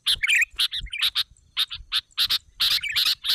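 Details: Sooty-headed bulbul lure call used to draw other bulbuls in: short bright chirps and chattering bursts in quick uneven clusters, some notes warbled lower, with brief silent gaps.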